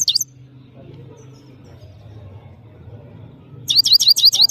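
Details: European goldfinch, the saira of Parachinar: a brief chirp, a long quiet stretch of low hum, then a rapid run of bright high twittering notes.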